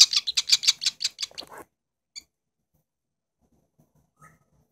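Chimney swift nestlings give a fast, harsh, raspy chatter of about nine high notes in under two seconds, followed by two faint, isolated chips.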